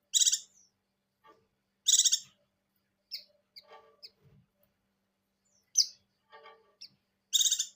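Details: Buxtoni white-eye in breeding condition giving ngecir song joined with wild ngalas phrases: loud buzzy pulsed bursts recur every few seconds, with thin high chips and faint softer notes between them.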